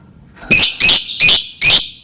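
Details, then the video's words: Four loud, grating lovebird screeches in quick even succession, about three per second, each harsh and buzzy; used as a lure to teach lovebirds to sing. "Suara lovebird Memancing burung lovebird belajar berkicau"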